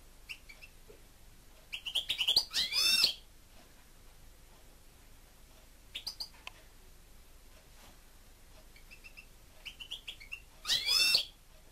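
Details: A much-loved pet European goldfinch in song: bright twittering phrases with ringing high notes, a loud burst near the start and another near the end, with soft chirps between.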